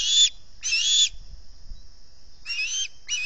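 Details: Early-morning osprey begging at the Salt Point nest: harsh, high whistled squeals in bursts about half a second long, separated by short gaps, under a faint steady high hum.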